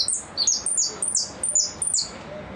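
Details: Goldfinch singing in the repique style: rapid high, bright notes, each sliding sharply downward, delivered in quick clusters of two or three with short gaps.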